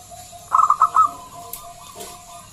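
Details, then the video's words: Loud local zebra dove meant to lure other doves to sing, giving a short burst of about five rapid clipped notes followed by faint trailing tones and a brief low note. "Pancingan Perkutut lokal SUARA BESAR"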